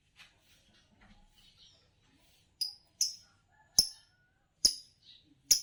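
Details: Sharp, clipped chirps from a champion green Fischer's lovebird, repeated roughly once a second and growing louder, after a stretch of faint soft twittering.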